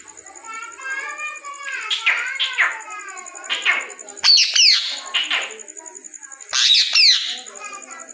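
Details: Green Indian ringneck parrot talking: a string of short, speech-like phrases and squeaky mimicked words in bursts, some shrill whistled accents, over a steady high electronic whine.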